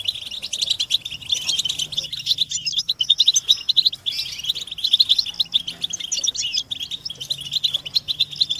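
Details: Group twittering of European goldfinches with mating and readiness calls, used to stimulate silent captive male goldfinches into singing: dense, continuous high tinkling chatter, rapid overlapping twitters in pulsing bursts with brief lulls.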